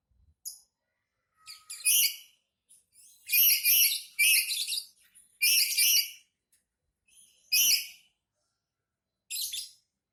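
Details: Black-capped lory calling while angry: harsh, raspy screeches in short bursts, the loudest cluster in the middle and more spaced out near the end, with quiet gaps between them.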